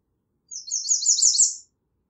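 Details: A singing American redstart gives one high-pitched song lasting just over a second, a quick run of thin, sharply downslurred notes that grows louder toward the end, against a silent background.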